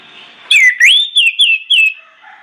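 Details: Orange-headed thrush in full, insistent voice, meant to lure other birds into song; a rapid chain of five loud slurred whistles, sweeping down then up, with thin high overtones.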